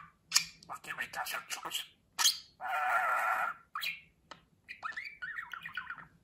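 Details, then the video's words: Pet budgerigar chattering, raspy clicks and bursts followed by a sustained buzzy squawk about a second long, then twittering warbled notes. "Konuşan Muhabbet Kuşu"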